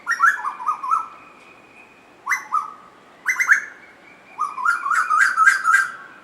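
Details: Two Asian koels singing while playing with each other: bursts of short, clear, rising whistled notes, each burst stepping up and down over about a second. The bursts come roughly every one to two seconds in a quiet setting.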